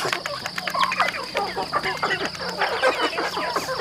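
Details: Several chickens on a farm while feeding: rapid, chattering clucks and brief nasal notes tumbling over one another, a low hum running beneath.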